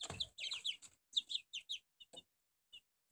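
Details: Peeping of four-week-old Barred Plymouth Rock chicks: a quick run of bright, high, falling chirps, then a few softer, isolated peeps fading out, with a brief low thump at the start.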